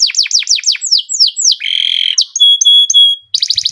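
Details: Canary song moving from repeated falling whistled notes into a buzzy rattle, then pure steady whistles broken by short pauses, ending in a quick trill.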